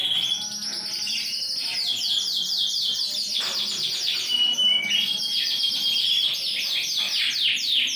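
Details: Big-sized Yorkshire canary singing vigorously, ring 20, recorded 28.01.2021; long continuous rolls of rapid downslurred notes form a fast trilled tour, with a few thin pure whistles threaded through.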